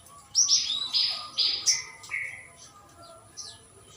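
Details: Javan myna giving a few clear, drawn-out high whistles, some sliding downward, with faint background noise.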